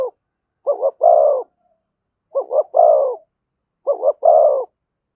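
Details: Three evenly spaced spotted dove phrases in the thổ voice with thúc and kèm, each a quick double coo followed by a long, deep, resonant coo, in otherwise silent surroundings.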